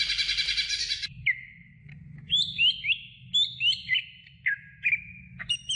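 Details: Greater green leafbird song used to train other birds: clear whistled notes, some slurred up or down, in short separated phrases, after an opening burst of dense buzzy chatter, with a low hum beneath.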